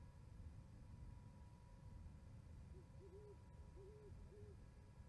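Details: Owls hooting to each other at an osprey nest in Charlo, Montana on 11 January 2020, winter: soft low hoots in a quick run of four or five, faint beneath heavy rumbling wind noise and a steady tone.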